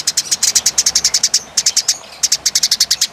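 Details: Eurasian tree sparrow fighting, heard up close in a clear extended chatter. Loud rapid high chirps run almost without break, about eight per second, with two brief pauses.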